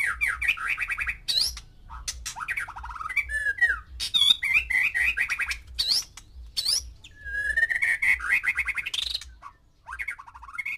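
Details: Male white-rumped shama in a cage with six females, singing to stir them to mate: loud, rich song of rapid trills, slurred whistles and harsh chatters in bursts separated by short pauses, with faint low hum.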